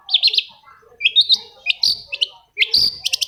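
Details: Long-tailed shrike song used to coax silent birds into singing, a few high chirped bursts and clipped whistled notes separated by short pauses.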